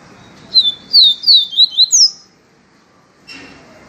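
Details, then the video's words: Papacapim peito amarelo, the yellow-bellied seedeater, singing viviti style: a rapid phrase of six clear high slurred whistles, ending on a higher downward sweep, then silence and a soft knock near the end. "papacapim PEITO AMARELO canto viviti PURO"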